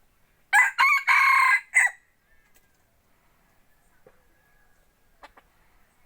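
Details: Rooster used as a decoy for forest hunting lets out one strong four-part crow lasting about a second and a half, followed by near silence with a few faint clicks.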